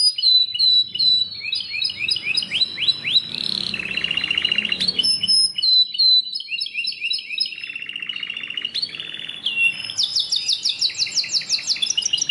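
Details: Long varied Belgian canary song mixing fast rising trills, buzzy rolling passages and high whistled notes, with a soft low background rumble in the first half.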